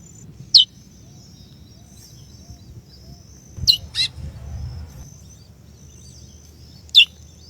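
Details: Female chestnut-bellied seed finch calling to stir up the male: three short, sharp, high descending chirps spaced a few seconds apart over a quiet, low background hum.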